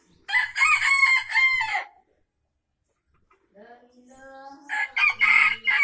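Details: Aceh junglefowl gives two loud, harsh crows, each about one and a half seconds long, with a quieter, lower drawn-out call between them.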